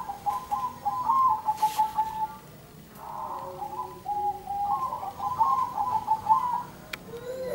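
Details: Zebra doves answering one another near flowering sunflowers, giving bubbling, rolling coo phrases that rise and fall, two long bouts separated by a brief pause, with a low steady coo from a second bird.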